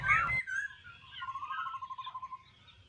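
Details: Caged black-throated laughingthrush in Bình Chánh, Ho Chi Minh City, about a month in the cage, with an upturned beak defect, singing while fanning its tail: a loud whistled phrase, then a rapid even trill of about ten notes, softer chattering above.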